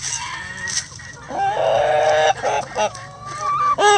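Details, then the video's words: Chickens being fed in the coop make loud, harmonic squawks, one long nasal note of nearly a second followed by several shorter broken calls, close and clear. "Relaxing Chicken Coop Sounds"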